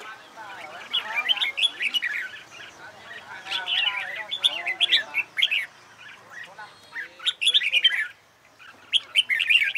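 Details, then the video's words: Red-whiskered bulbul singing for competition training: lively phrases of rolling, whistled chirps in several bursts, a short silence near the end before singing resumes. "CHÀO MÀO HÓT ĐẤU HAY"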